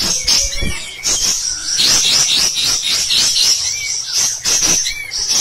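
Cotton pygmy goose giving rapid, high, shrill chattering calls in quick bursts, almost continuous, with faint background noise.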